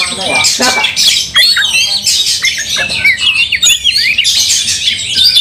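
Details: Heated Oriental magpie-robins fighting with tails fanned; loud harsh squawks and rasping bursts alternate with quick high twittering notes.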